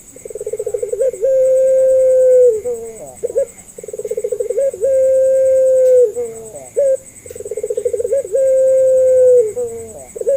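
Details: Barbary dove (puter pelung) lure recording for teaching doves to call: three matching phrases about every three and a half seconds, each a pulsed stutter rising into a steady drawn-out coo, then short downward flourishes.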